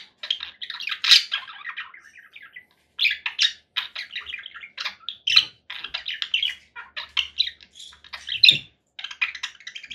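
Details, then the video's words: Rapid squawking and chirping from a conure parakeet in long bursts, with a pause after the first run and a soft low thump near the end. "7 hours of relaxing conure parakeet sounds"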